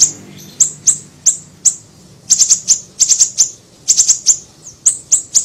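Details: Small siri-siri bird singing, used as a lure and training recording: very high, sharp chirps and quick clipped doublets and triplets, loud and close, in uneven bursts over a quiet background.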